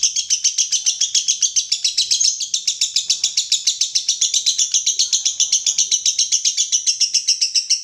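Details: Lovebird in a long, fast, continuous chattering song of high, buzzy chirps repeated several times a second, steady and unbroken throughout, with no other sounds.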